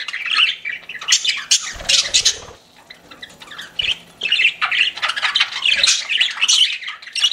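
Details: Pet budgies chattering, a group giving scratchy chirps and harsh squawky notes in uneven bursts, with a lull midway and a few soft low thumps.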